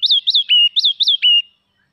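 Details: Red-whiskered bulbul (Pycnonotus jocosus), song.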